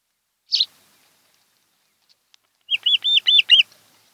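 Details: Osprey nest on Kent Island, Maryland, July 2018 afternoon, webcam recording: one lone high chirp, a pause of two seconds, then a quick run of five slurred, whistled notes.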